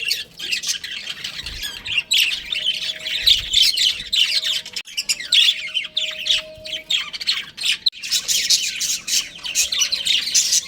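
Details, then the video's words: Pet budgerigar breeding pair chirping and squawking in uneven bursts, with squeaky twitters overlapping and a faint steady tone in the background. "Cute Budgies Chirping Sounds"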